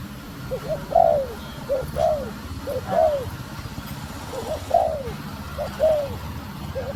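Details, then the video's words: Female spotted dove calling to stimulate the male: soft low coos, each a short lead-in note then a longer downward-sliding coo, repeated roughly every second over a steady low hum. "Cu Gáy Mái Thúc Gù Kích Trống Ức Chế | Tiếng Chim Cu Mái Gáy"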